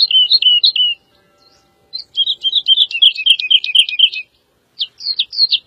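Woodlark song: short bursts of sweet, liquid notes, then a long rapid run of fluty descending notes, then a brief pause before the next phrase.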